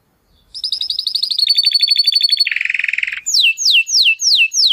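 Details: Timbrado canary, crested type, in training song: dense, fast rolling trills shifting through several tours, a lower buzzing rattle, then five swooping downward whistles repeated about every half second.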